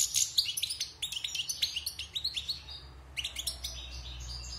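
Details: Wild European goldfinch, caged for six months after its moult, sings a rapid, bright twittering run of high chirps and buzzy trills with short clipped notes, a brief pause, then resumes chattering.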